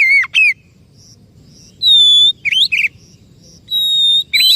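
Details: Oriental magpie-robin lure song meant to get a silent or stressed bird singing: a few separate bright bursts, a sharp slurred note, a long pure high whistle and buzzy twisting phrases, with quiet pauses between.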